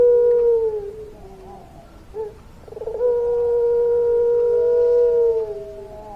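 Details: Puter pelung dove singing its long-voiced coo: a brief falling hoot, a soft gurgle, then one smooth, steady tone stretched for almost three seconds before it slides down.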